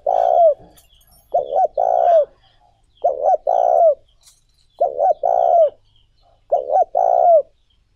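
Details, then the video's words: Spotted dove calling to stimulate decoy birds: five steady phrases roughly every one and a half seconds, each a short paired coo followed by a longer throaty croo that falls at the end. "Tiếng Chim Cu Gáy Mới Nhất, Siêu Kích Bổi"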